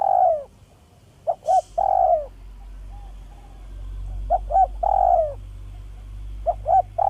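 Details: Village spotted dove lure call, smooth and clear: mellow mid-pitched coos, each phrase two quick short notes and then a longer falling note, heard three times, with a brief hiss near the start.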